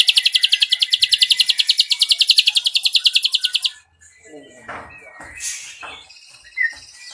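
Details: Ashy drongo pouring out a rapid cililin trill of high, evenly spaced sharp notes for almost four seconds, which stops abruptly and gives way to soft scattered noises and a few faint chirps.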